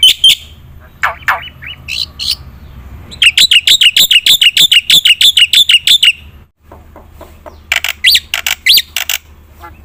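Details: Black-winged myna in full song meant to coax reluctant birds into singing: scattered harsh notes, then a fast run of loud buzzy chatters from three to six seconds, a gap, then more chattering.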